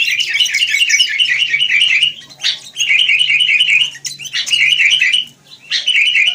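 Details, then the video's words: Wild sooty-headed bulbul chirping busily: bursts of quick, rolling, bubbly notes repeated in rapid runs, separated by short gaps of about half a second between phrases. "Rame Kicau Burung Kutilang"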